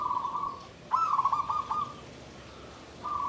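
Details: Zebra dove, known locally as perkutut, caged in a bamboo cage, singing a Klabang Kapipit Tumpang Sari style song: a rolling, trilled phrase of soft rapid coos, klarr kete kuk kuk, lasting about a second, with fragments of other phrases around it.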